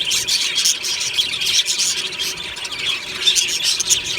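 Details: Happy morning singing from a colony of budgerigars in an aviary: dense, overlapping chirps and warbled, squeaky phrases from many birds, forming a busy, unbroken chatter.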